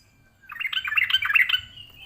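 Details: Aggressive answering song of a yellow-vented bulbul toward a rival: a dense, gurgling phrase of rapid chirps lasting about a second, trailing into a soft sustained note, with faint low rumble behind.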